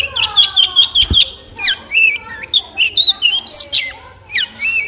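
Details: Varied warbling from a long-tailed shrike: steady whistled notes, then a mix of rising and falling slurred phrases and harsher chips, running continuously with one brief low thump.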